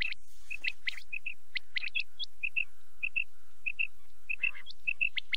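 A quail calls in quick, high paired notes, a clipped double chip repeated about every half second over a low steady hum.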